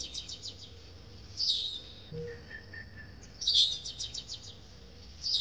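A parrot gives bursts of thin, high, rapid chirping, roughly every two seconds, with a few softer tonal notes between them and a faint background hum.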